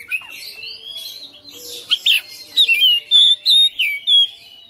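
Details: Caged, house-kept Oriental magpie-robin singing persistently in a fighter style, showing off its fill-in repertoire: soft warbling chatter, then loud, clear whistled notes that rise and fall, given in a quick run of about six separate phrases.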